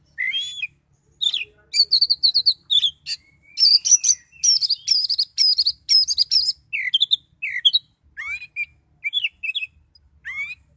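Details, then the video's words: Oriental magpie-robin singing in a highly agitated state, with rapid repeated sharp whistles and chatters, a sustained stretch of trilled high notes, then rising and falling slurred whistles. "Kacer Gacor Kicau Door Lanjut Emosi Tingkat Tinggi"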